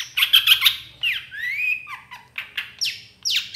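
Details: Long-tailed shrike song used to provoke other shrikes. Harsh stuttering notes lead into long sliding whistles, rising then falling, a few lower warbles, and sweeping squeals toward the end.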